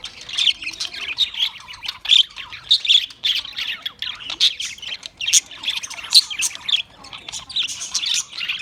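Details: Australian parrot chatter of rapid, grating chirps and squawks in uneven bursts, several calls overlapping in a continuous high-pitched jumble.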